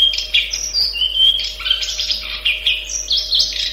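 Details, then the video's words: Long-tailed shrike singing a quick, varied medley of sharp whistles, chirps and slurred notes jumping between pitches, loud and continuous, over a faint low hum. "Masteran cendet, speed jossssss - kicau burung"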